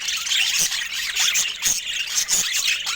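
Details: Several pet budgerigars, a species bred in many colour varieties, chatter loudly, short clear whistles and squeaky notes rising and falling over a dense bed of harsh twittering, in waves roughly every half second.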